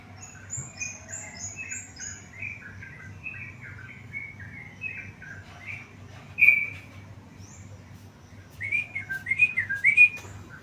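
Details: Song of a tame yellow-vented bulbul: a long chattering series of short whistled phrases, ending in a louder burst of bubbly rising and falling notes, with fainter high chirps from another bird early on and a low background hum.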